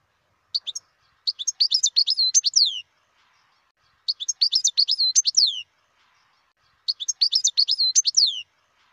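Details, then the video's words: Wild European goldfinch delivering three similar bursts of bright, tinkling twitter about every three seconds, each opening with two short chirps before a rapid run of high, descending slurred notes. "تغريد الحسون البري"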